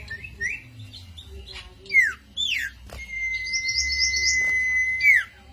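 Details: Cito bird song offered as a lure or master for training songbirds: sharp down-slurred whistles, a long level whistle overlaid with a fluttering trill, and scattered chirps against low background hum.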